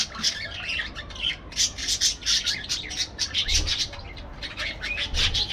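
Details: Aviary parakeets give rhythmic bursts of sharp, high chirps and squawks in quick pulses, loud and lively from start to finish, with occasional low thumps.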